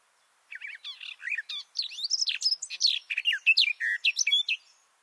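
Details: Garden warbler song captured up close under a bush from a shelter tent: one continuous four-second run of bubbling, mellow warbled notes, fast and even, in a very clean, quiet setting.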